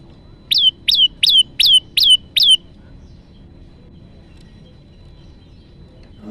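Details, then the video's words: Trapping lure of an olive-backed tailorbird: six piercing, high chirps, each sliding downward, delivered evenly about three per second, then quiet low background rumble. "pancingan prenjak lumut untuk mikat dan macet bunyi"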